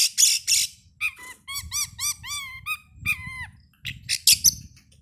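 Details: Oriental magpie-robin lure song before a contest; series of repeated curved whistled notes with clear harmonics, bracketed by loud harsh bursts, over low thumping background.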